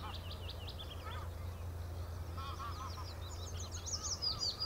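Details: Common nightingale singing at the Horsmeertjes on Texel: varied high phrases of quick repeated notes and short whistled slurs, with gaps between bursts, over a steady low hum.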